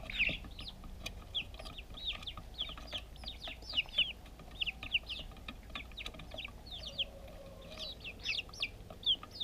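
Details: Happy backyard chicks eating food, recorded with a GoPro: scattered, softer high peeps spread across the clip, mixed with sharp tapping clicks like beaks pecking.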